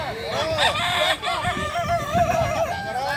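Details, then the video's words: A kukuak balenggek rooster crowing contest at a Solok Regency dairy farm: a few long, wavering, stepped crows overlap, with a low background murmur of people. "Lomba ayam kukuak balenggek"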